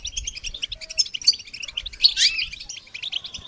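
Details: Goldfinch song used for training songbirds: a dense, rapid twittering of high chirps and trills, with brighter buzzy bursts near the middle and soft low thumps underneath.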